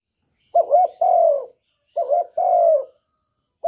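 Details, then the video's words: Spotted dove, a male cooing to urge a female to lay: low mellow phrases near 600, each a short double note followed by a longer falling coo, repeated roughly every one and a half seconds in a quiet setting. "Tiếng chim cu trống kích mái mau đẻ"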